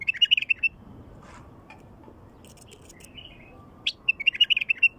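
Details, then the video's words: Wild bulbul singing, a song used to lure wild bulbuls: rapid, chattering, warbled notes open the clip, softer notes follow in the middle, and another fast bright phrase of quick chirps closes it. "تغريد بلبل وحشي"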